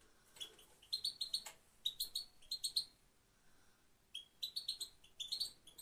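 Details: Female goldfinch song, somewhat quieter: short clusters of high, tinkling chirps and twitters, with a silent gap mid-clip before another lively burst of rapid notes.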